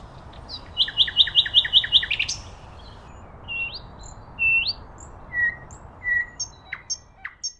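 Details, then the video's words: Common nightingale song outdoors: a quick series of about seven repeated ringing notes, a sharp upward flourish, then varied rising whistles and clear level whistled notes with scattered high chips. "Beautiful Nightingale Birdsong"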